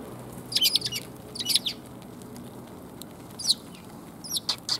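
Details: Sparrows coming to be fed, recorded 5 December 2021 on the way out: short high chirps in small scattered bursts over a steady background hiss.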